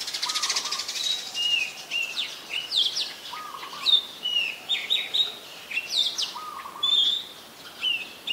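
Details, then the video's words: Brown-throated sunbird (Anthreptes malacensis) in Ubon Ratchathani, Thailand, 5 February: thin high whistled notes and short downslurred chirps, with a lower clipped note repeated about every two seconds over light background hiss. "Brown-throated Sunbird"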